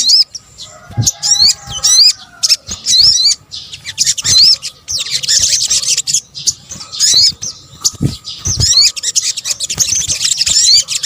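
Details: Lure recording of combined sogok ontong (sunbird) calls, Indonesia. A series of repeated sharp whistled notes sweeping upward opens, followed by long stretches of dense high-pitched chattering twitter with short breaks.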